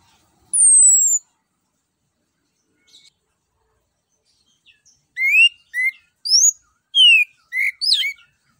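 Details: Orange-headed thrush song used to stimulate other birds to sing: one long high falling whistle, a pause, then a series of short varied whistled notes repeated about every half second.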